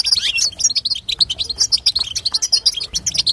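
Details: European goldfinch female twittering, played to make a male sing: dense run of fast, bright, high chirps and short trills, nearly continuous across three seconds, with a faint low hum underneath.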